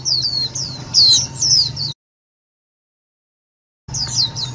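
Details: Loud white-eye call meant to lure birds into traps and excite other white-eyes: a quick string of high, down-slurred chirps, a two-second silent break, then the chirping resumes.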